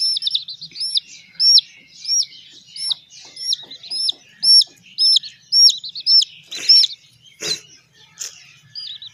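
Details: Little hen chicks being raised give shrill, hook-shaped peeps at irregular intervals, roughly two per second. A few sharp knocks and rustles break in near the end.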